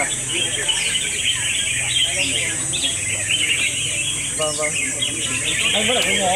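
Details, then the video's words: Round two of a red-whiskered bulbul singing contest: a crowded mix of quick, high whistled twitters and scratchy notes from competing birds, with human voices heard faintly underneath. "Best Red Whiskered Bulbul Singing Battle Round 2"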